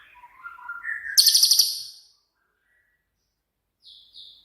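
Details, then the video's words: Cililin, a 'tembakan'-type songbird used to train other songbirds: wavering mid-pitched whistles lead into a loud, very high rattling trill of about ten rapid notes, then silence and two faint high notes. "BURUNG CILILIN COCOK UNTUK MASTERAN"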